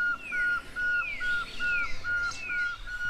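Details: Pearl-spotted owlet calling near Lake Baringo, Kenya: a fast run of short, level whistles repeated about every quarter second, with longer downslurred whistles arching above, over low background rumble.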